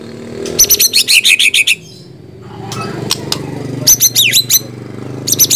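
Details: White-rumped shama singing: two fast bursts of about eight to ten sharp, chattering high notes each, separated by a quieter pause, with another short burst starting at the end; low steady hum underneath.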